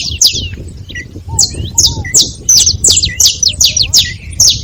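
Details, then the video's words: Several saffron finches chatter together. Piercing high chirps come in rapid, uneven runs, with a few soft lower slurred notes early on. "Canário da terra junto fazendo barulho"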